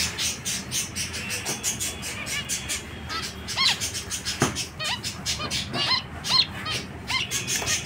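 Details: Zebra finches giving a dense stream of short, nasal, honking beeps, several birds overlapping in rapid bursts, with steady low background hum.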